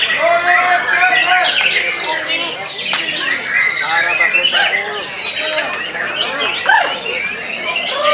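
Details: A white-rumped shama pours out rapid phrases mixing clear rising and falling whistles with harsh buzzy notes and chatter, some phrases sweeping sharply upward.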